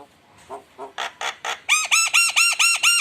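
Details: Lively Javan myna song used as a lure: a few soft rasping notes, then a loud, ringing series of seven dipping, harmonically rich calls repeated about three times a second.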